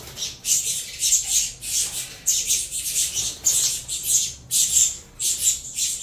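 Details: Saffron finch young, bred in captivity from a Venezuelan-line cross, beg while being fed: loud, noisy rasping bursts about one and a half per second, irregularly spaced and separated by short silences.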